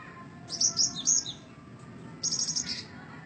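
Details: Cinereous tit song in two close phrases of high-pitched, rapid, buzzy chittering notes, each lasting under a second, over a soft low background hum.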